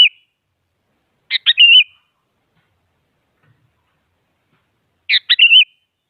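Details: Rival-provoking song of a sooty-headed bulbul, meant to stir a silent bird: two short phrases about four seconds apart, each made of quick stuttered notes running into a wavering whistle.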